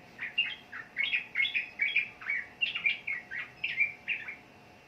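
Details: Sooty-headed bulbul song of clear, liquid whistled phrases, each a quick slurred note, repeated about three times a second in an even, lively run.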